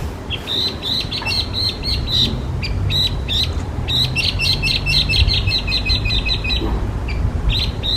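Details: Loud, lively Chinese hwamei song, an invasive alien species in Japan: dense bursts of crisp repeated notes, some rattled fast, others spaced, running almost continuously for eight seconds above a low droning background.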